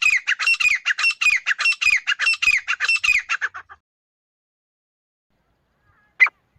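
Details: A female grey francolin (Ortygornis pondicerianus) gives a fast run of about twenty harsh, scratchy notes over nearly four seconds, then falls silent before one last squawk.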